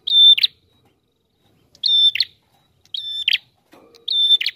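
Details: A prinia sings nonstop in a lure recording for trapping, repeating a short phrase about every 1.3 seconds: a high, level whistle ending in a scratchy buzz; a faint low hum sounds once.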